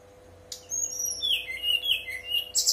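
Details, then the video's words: Brown-chested jungle flycatcher giving its whistled song, meant to stimulate untrained birds to respond and sing: a sharp high onset, descending pure whistles, then warbled mid-high phrases and a bright burst at the end. "Pancingan SRDC bahan biar nyaut dan bunyi, SRDC nyuling gacor"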